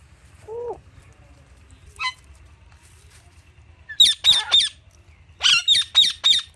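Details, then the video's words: Alexandrine parakeet kept with Indian ringneck parrots, playing with palm tree fronds; a brief whistle and a faint note, then two runs of loud, harsh, screeching squawks, each run four calls in quick succession. "Happy Parrots Chirping Sounds"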